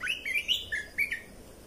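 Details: Lively whistled song of a red-whiskered bulbul, meant for training young birds and exciting them: five or six bright, bouncing notes in rapid succession, each slurred up and down, clear against low background noise.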